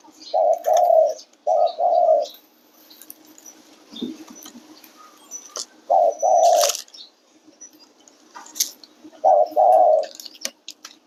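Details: Spotted dove song: low hollow coos in paired and triple bursts, repeated at intervals of about three seconds, with faint clicks and soft background noise between phrases.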